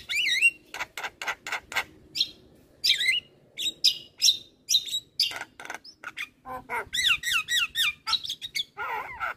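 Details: Javan myna in lively song to prompt stressed or silent mynas: sharp repeated chirps, squeaky looping whistles and bursts of rapid downslurred notes in quick, uneven succession.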